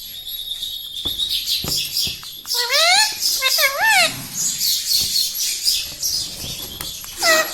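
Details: Pet talking parrot indoors, taught to say "radhe radhe" and "mummy papa"; a few rising, wavering speech-like syllables mid-clip among sharp broadband chirps and squawks, with faint room noise and clicks.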